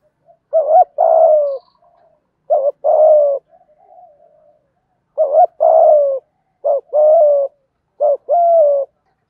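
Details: Spotted dove cooing in the 'giọng thổ thúc gù' style, used to coax newly caught captive doves into cooing; low husky phrases, each a short wavering note then a long, slightly falling coo, repeated four times with soft murmurs between.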